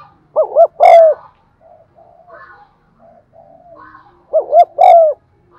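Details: Spotted dove cooing and urging calls for stimulating decoy birds: two phrases of paired short hoots and a drawn-out note, with faint softer calls between them.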